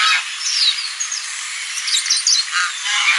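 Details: Goose calling on a lagoon: harsh, nasal honks rise and fall between thinner high whistled sweeps from other birds, with a steady background hiss.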